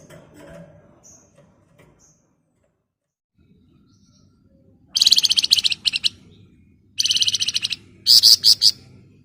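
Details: Flamboyan singing 'ngebren rapat nyerecet': after a quiet start, three loud bursts of fast, buzzy, very high chattering trills, each one to two seconds, in quick succession.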